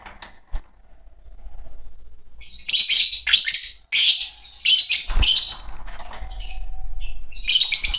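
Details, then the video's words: Pair of green Fischer's lovebirds giving rapid, shrill, scratchy chirps in clustered bursts, a brief faint whistle early on, then dense high chatter running from mid-clip to the end over light low rumble. "Lovebird singing & chirping sounds -Green Fischer Pair -طيور الحب"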